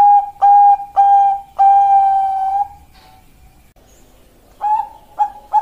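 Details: Bangkok-line zebra dove, ringed birds 275 and 387, 27 February 2023, kliuk-style singing: a few long, steady, mellow hooting tones, a silent pause, then three short coos at the close.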